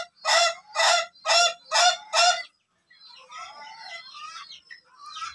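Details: Laughing chicken of the duration type, in training for a long crow: five loud, harsh, harmonic notes about half a second apart, then softer scratchy chattering calls.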